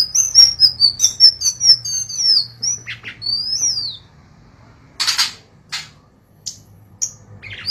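Golden-bellied gerygone singing a rapid run of thin, high, sliding whistles, mostly falling and wavering, then a few scattered notes after a brief rustling burst.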